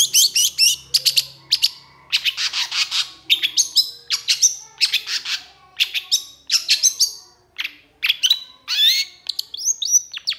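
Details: A long-tailed shrike, or pentet, delivers an intense stream of mixed song: quick high whistles, rising slurs and grating chattery bursts packed closely together for the whole stretch.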